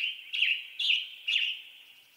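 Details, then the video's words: Three husky, burry phrases of western tanager song, each short and slurred, coming roughly every half second and standing out clearly. "Western Tanager Bird Song"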